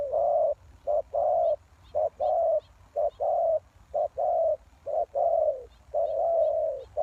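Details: Spotted dove lure call for attracting wild doves: seven quick pairs of low cooing notes, a brief coo then a drawn-out one, delivered about once a second with little pause.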